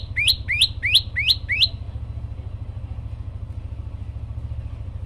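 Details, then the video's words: Olive-backed tailorbird singing persistently with varied phrases: five sharp rising chirps in quick succession, then the bird falls silent over a steady low engine rumble. "prenjak lumut gacor variasi"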